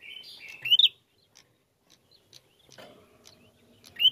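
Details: Bar-winged prinia in a combative, energetic lure song: flat buzzy notes lead into one loud rising slur, then a quiet stretch with faint background noise before another rising note at the end.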